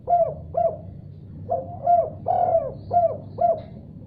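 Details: Spotted dove answering a heard call: two quick coos, a short pause, then five evenly spaced, husky coos with a slight upward hook, the middle one longest, against a faint low rumble.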